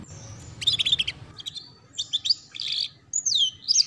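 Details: Canary training song for young birds, ngeriwik style: short bursts of high rapid trills and chirps, ending with a long downslurred whistle.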